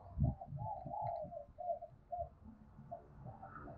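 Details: Spotted dove giving loud, ringing challenge coos meant to provoke fighting: a run of low, hollow cooing notes in short phrases with brief gaps, over a rumbling low background.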